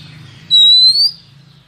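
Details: Female Oriental magpie-robin calling to stimulate and lure males, a 2023 trapping recording: one clear, pure whistled note lasting about half a second, gently rising in pitch, over a faint low hum.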